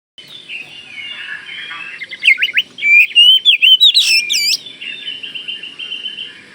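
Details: Kalimantan oriental magpie-robin in full song, used to make other magpie-robins answer: varied whistles and quick slurred notes, rising into a loud burst of sharp repeated phrases mid-way, over a low background murmur.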